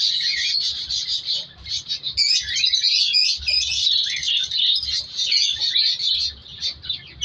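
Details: Color African lovebirds in a captive breeding colony where chicks are being separated. Many birds chirp and squawk at once, a shrill, fast, uneven chatter that swells and dips throughout.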